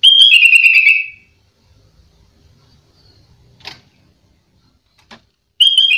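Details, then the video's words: Sooty-headed bulbul in full song for training other bulbuls, said to include mimicked phrases of prized birds; a rich burst of whistled notes sliding downward, a long silent gap with faint clicks, then the phrase begins again. "Kutilang gacor full isian burung mahal"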